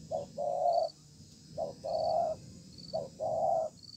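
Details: Spotted dove, a wild bird with a good voice and spaced-out song, calling in a contest below a communal house; three paired coos, each a short low note then a drawn-out buzzy hoot, about every 1.3 seconds, with a faint high hum.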